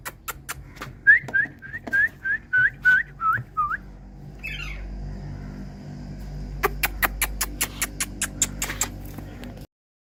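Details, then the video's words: Indian parrot imitating the sound of dripping water: a quick run of about eight short, liquid, downward-hooked whistled notes, roughly two per second, then a pause and a series of sharp tapping clicks. "Indian Parrot Tiger Calling Water Drops💧Sounds"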